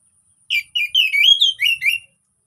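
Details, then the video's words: Orange-headed thrush, a relaxed lure song to make silent birds sing: a flowing phrase of slurred whistled notes, rising and falling, delivered in short bursts over about one and a half seconds. "KICAUAN SANTAI ANIS PEMANCING ANIS MACET BUNYI"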